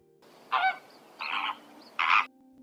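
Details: Greater flamingo calling: three loud, nasal, goose-like honks spaced about three-quarters of a second apart, each harsh and brief, over a faint steady hum.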